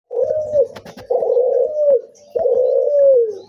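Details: Barbary dove (puter cuhu) giving what is described as a strange sound: three long, hoarse coos, each about a second, holding a steady mid pitch and sliding down at the end, with a few sharp clicks between the first two.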